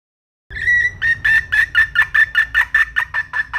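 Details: A wild red junglefowl hen starts with a short drawn note, then settles into steady, evenly spaced raspy clucks, about two and a half per second.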